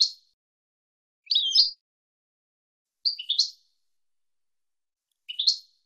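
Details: European goldfinch, 2022 season, in 'lugha' song used to teach young birds: isolated liquid twittering chirps, each a quick cluster of slurred notes, spaced roughly two seconds apart in silence.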